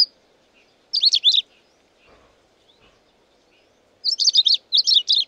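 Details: Long-tailed rosefinch (Carpodacus sibiricus) delivering short bursts of high, lively twittering notes: one phrase near the start, then two quick phrases back to back after a pause, with faint low rustling in between.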